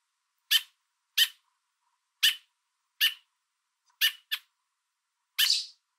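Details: Parent American robin perched on a fence, food in beak, communicating with its fledgling below while warning off a person; loud sharp chips spaced about a second apart, a quick double near the end, then a longer hissing note.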